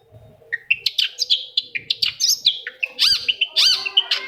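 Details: Long-tailed shrike lure song to make a quiet shrike respond; fast varied chatter of chirps, rattles and whistled upward sweeps with no pauses.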